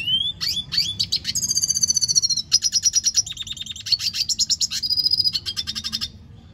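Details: Red siskin song opening with a few rising slurred whistles, then dense high buzzy trills and rapid chattering phrases shifting in pitch, about six seconds of steady singing before stopping.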